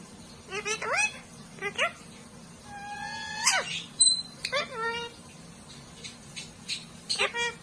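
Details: Talking parrot kept as a pet, giving scattered whistled sweeps that rise then drop sharply, several short calls spaced over a quiet room hum.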